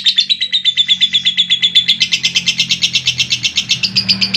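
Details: Lovebird long trill, known as ngekek panjang, recorded clean and unedited and used to prompt young and adult lovebirds that are slow to sing. Rapid high chattering notes repeat steadily, about six per second, without pause.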